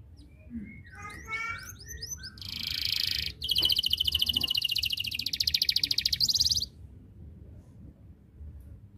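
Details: Canary in song calling rivals to sing: a few quick whistled notes, then a long loud buzzy trill of rapid pulses lasting several seconds before falling silent.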